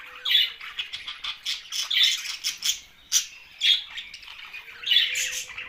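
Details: A group of budgerigars gives harsh squawks and chirps in uneven bursts, sharp accented notes standing out every second or so above a steady chatter.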